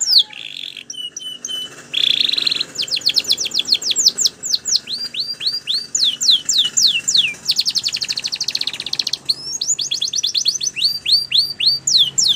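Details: Training song of a Spanish Timbrado canary, meant to make other canaries sing: buzzy rolled trills alternate with long runs of falling and rising whistled sweeps, delivered rapidly and continuously.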